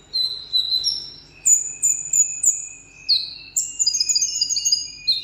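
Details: Solo contest singing from a kept Vietnamese seven-coloured sunbird. Long, high, thin drawn-out whistles and sliding trills repeat in bursts, some falling in pitch, with faint low hum beneath.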